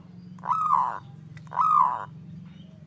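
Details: Zebra dove singing in the kerot ngutut kowar style, a recording for training, therapy and luring of zebra doves: two rough, raspy half-second notes, each arching in pitch, about a second apart, over a low steady hum.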